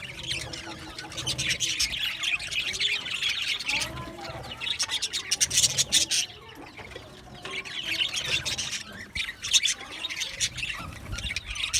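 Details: Budgies heard at moderate level in two waves of chattering, fast squeaky twitters and warbles rising and fading, with quieter gaps between the busier bursts.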